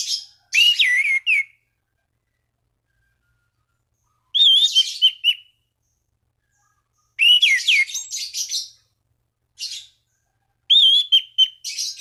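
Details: Orange-banded thrush calling out rivals to set other thrushes singing, with loud phrases of slurred whistles and scratchy twitters repeated about every three seconds, separated by silence, some ending in a level, wavering whistle.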